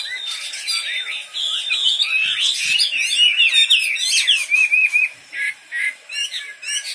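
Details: A wambi bird in full voice delivers dense, overlapping warbled and whistled phrases for five seconds, then breaks into short separate bursts of notes spaced about a second apart.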